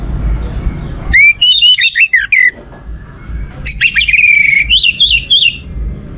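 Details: Lure song of an orange-headed thrush meant to get other birds singing: two rich phrases of rising and falling whistles and quick warbled notes, separated by a brief quiet gap.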